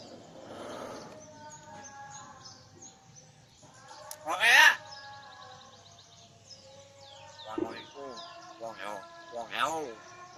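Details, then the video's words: Common hill myna chattering and mimicking human speech: soft murmuring, then a sharp loud broadband burst midway, followed by several harmonic, wavering, voice-like phrases near the end over a low steady hum. "Celoteh Burung Beo"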